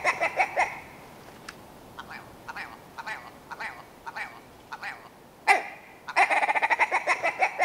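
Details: Willow ptarmigan, male and female birds: a short burst of rattling clucks, then sparse scattered single nasal notes, ending in a loud accented call and a fast stuttering series of hoarse clucks.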